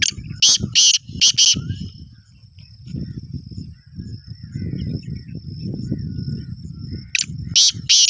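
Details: Black francolin in full breeding condition, a fast caller, gives two loud, harsh call series: four grating bursts at the start and three more near the end. A steady high whine and low rumbling noise run throughout.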